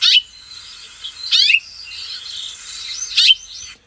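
House Finch giving three bright, complex chirped call notes, each rich and slightly musical, spaced over about three seconds, with softer warbled notes between.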